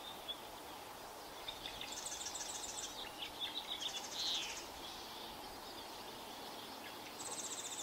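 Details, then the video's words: Wren singing near a bald eagle nest where the eagle sits: short bursts of high, buzzy trills and sharp thin notes, with a brief descending twitter mid-song, over a constant hiss of background noise. "Bald eagle on her nest serenaded by a noisy wren"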